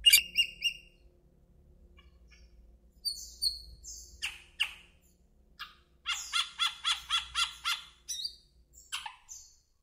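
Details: Asian glossy starling calling with rapid bursts of bright, high chirps. A quick run of about eight evenly repeated metallic notes comes near the end, after scattered single tweets and short pauses, in a quiet setting.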